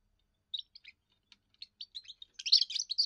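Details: Young European goldfinch giving its first song, used to defend territory and attract females: scattered high chirps building into a dense burst of twittering, buzzy notes near the end.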